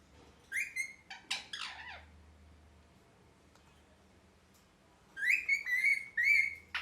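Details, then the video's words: Happy pet parrot: a few scratchy chattering notes, a long quiet pause, then a run of loud wavering whistled squawks held near one pitch; low hum in the background. "Parrot Chirping Sounds (Happy Voice)"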